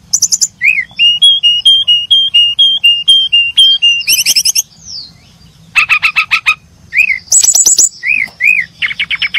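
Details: Chirping brown-chested jungle flycatchers: a long even string of short whistled notes, then harsh buzzy bursts, a rattling trill, and separate arched whistles.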